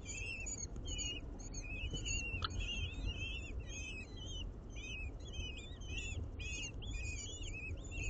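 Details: Urban common kestrel nest in a window box nine floors up in Aguadulce, Almería, during feeding of the chicks: a rapid series of short, arched whistled notes, many per second, with steady low hum beneath.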